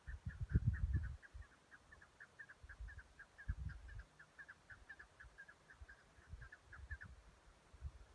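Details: Chukar calling so the birds can find each other: a rapid, fairly even series of short chuk notes, about three to four per second for seven seconds, over low rumbling wind or handling noise that is loudest at the start.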